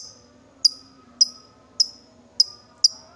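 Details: Lovebird, excited and provoked to call, producing short sharp high clicks spaced about half a second apart, five in a row, over a faint low hum.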